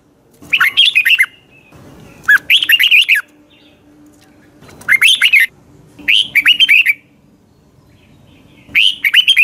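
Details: Red-whiskered bulbul song used to train other birds, morning singing: bright, warbling phrases of quick descending chirps, about five bursts in nine seconds, loud and clear with quiet gaps and a soft background hum.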